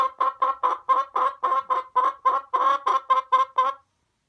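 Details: Hen clucking in a steady series of short, throaty clucks, about four each second, for nearly four seconds before stopping, with no other sounds.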